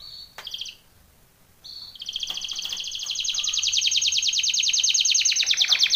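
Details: Belgian canary training song: a short whistled note and brief trill, a pause, then a long, rapid, high rolling trill that swells steadily louder for about four seconds.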